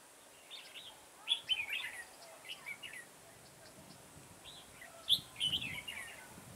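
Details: Red-whiskered bulbul singing amid garden trapping on 9/10/2017. Two loud bursts of rapid, bubbly whistled notes, separated by softer scattered chirps, with some low rustling in the background.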